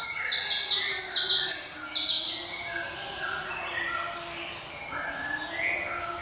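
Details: Java sparrow (glatik) singing its ringing song: a run of clear, bell-like tonal notes and short high chimes, loudest at first, then softer, slurred notes over a low steady hum.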